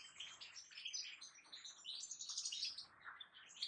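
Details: Kept European goldfinch in song, a continuous stream of high twittering, liquid tinkling notes and short buzzy trills, delivered rapidly with varied chirps.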